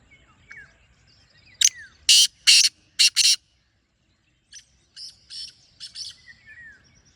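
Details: Harsh, scratchy phrase from a black francolin: one short note, two long grating notes, then two quick ones, followed by a fainter, more distant answering phrase, with soft chirps of other birds.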